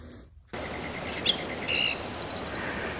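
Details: Botteri's Sparrow song in July in mesquite flats by Madera Canyon, southeast Arizona, on the way up to Box Canyon, in the morning: a few high chips and a buzzy note, then a quick accelerating bouncing-ball series, over steady background hiss.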